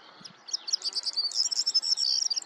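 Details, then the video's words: A male corn bunting singing on territory gives a high, dry song: a few ticking notes that speed up into a jangling, glassy trill, like shaken keys. "Corn Bunting male, singing on territory"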